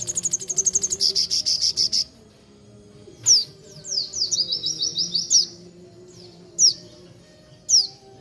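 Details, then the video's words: Horsfield's babbler (sogon) in lively song: an opening run of rapid buzzy pulses, then repeated bright descending whistles, some bunched into a fast rattling phrase, others spaced about a second apart. "Burung Sogon Gacor Dor"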